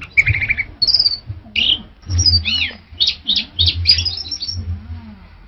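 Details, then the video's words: Orange-headed thrush song: a rich, varied run of loud whistled and slurred phrases that follow one another quickly, some with trilled notes, over a faint low background hum. "Tiếng chim Hoét lửa"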